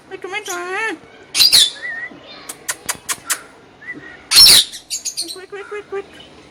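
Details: Green pet parrot calling: a loud harmonic wavering call, two harsh noisy squawk bursts, brief sharp clicks and short whistled notes, irregular and spread over several seconds.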